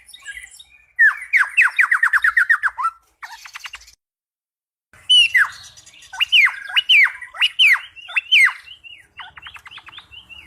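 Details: Singing cucak pantai, said to be as good as a cucak rowo: a fast series of about ten bright chirps, a pause, then loud, drooping, whip-like notes repeated in a lively sequence.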